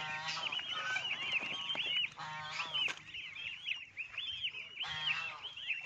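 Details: Lion Head geese (Anser cygnoides domesticus) raised as breeding stock in Hau Giang, Vietnam, honk together in a loud, overlapping chorus of nasal, trumpeting calls.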